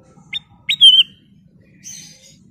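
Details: Ruby-throated bulbul (kutilang emas) in lively song: a quick high note, then a sliding upslurred note running into a bright wavering whistle, followed by a soft high rustling trill over a low hum.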